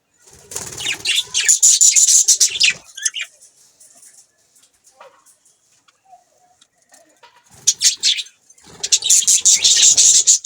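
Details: Budgies, Australian parrots, chirping in two loud bursts of dense, scratchy high chatter separated by a quiet gap of several seconds; faint low sounds underneath.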